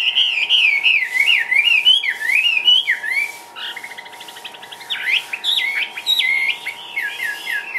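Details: Chinese hwamei in a cage, Vietnam, delivering loud zigzagging whistled phrases, a brief buzzy rattle, then sharp looped notes repeated in quick bursts, with a low continuous hum behind.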